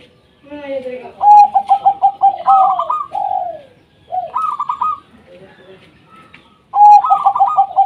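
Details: Singing local zebra dove, played to prompt idle doves to call: rapid stuttering high ticks over rolling trilled coos, two dense bursts split by a softer, quieter stretch, sounding close and loud.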